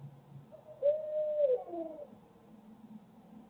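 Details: Barred owl in Midtown Tulsa giving one drawn-out, wavering hooted note lasting about a second, followed by a fainter lower sliding note, over quiet background.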